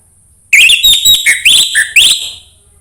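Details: Orange-headed thrush singing, used to coax another bird into song: a quick run of bright whistled notes, some rising and some dropping, packed into two seconds.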